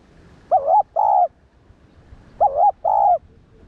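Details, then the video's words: Spotted dove calling to stir up and train other doves: two phrases, each a wavering coo followed by a steadier, longer coo, evenly spaced in near silence. "chim cu gáy kích bổi gáy cả ngày/tiếng chim cu đất gáy kích bổi tập mồi hiệu quả"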